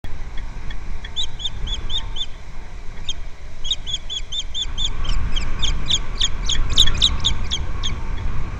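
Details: Osprey pair mating at a nest on Captiva Island, Florida, USA, February 11, 2024; a series of short, high, chirping whistles repeated rapidly in bursts, growing louder and denser near the end, over steady low wind rumble.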